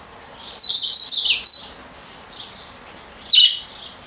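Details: Captive female Yellow-fronted canary indoors gives a bright, high twittering phrase for about a second, then a brief pause and a short sharp chirp; a budgie chirps in the background.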